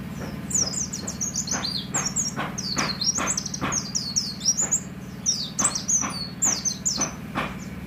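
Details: Oriental white-eye kept by a roadside to encourage singing, giving a lively run of thin, high chirps and short down-slurred tweets in quick succession over a low steady background hum.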